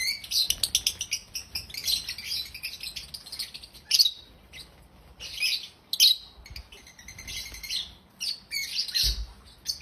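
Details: Loud, happy African lovebirds chirping: high, harsh twittering and sharp squeaks in uneven bursts about every second, over a quiet background.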